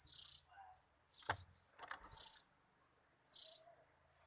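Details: Oriental magpie-robin said to be relaxed, giving short, bright, high-pitched bursts about once a second with quiet gaps between, plus a couple of soft low thumps.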